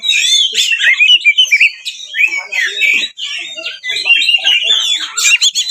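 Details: Fighting song of a kacer, or magpie-robin, used to provoke an opponent; busy, scratchy and whistled phrases in quick bursts with short pauses between them.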